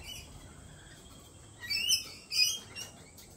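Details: Lorikeet calling at a cafe, two rasping, high squawks in quick succession past the midpoint, after a faint thin tone and near-silent room noise.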